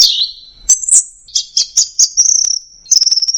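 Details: 'Teler' singing by an orange-headed thrush (anis merah): a falling whistled opening, then clipped high chirps in a steady series, a fast rattling trill and a final sustained high twitter.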